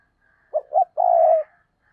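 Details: Spotted dove acting as a decoy: a three-part coo of two brief low notes and a longer sustained hollow note, with a faint softer dove call behind it.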